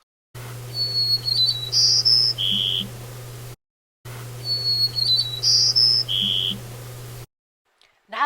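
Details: Male white-crowned sparrow song, likened to 'I gotta go wee-wee now': a clear whistled opening, then higher buzzy notes and a lower buzzy trill, given twice, over a steady low hum.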